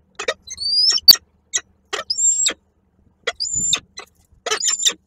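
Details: Peregrine falcon calling at Koszalin on 8 March 2023 as the male arrives with a prey gift; the female does not take it and flies off. Thin, high whistled notes, some drawn out and slightly rising, alternate with short sharp clicking bursts.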